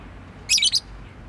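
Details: A household pet bird utters one short cluster of three high, squeaky chirp notes, run together within about a third of a second, against faint background hiss.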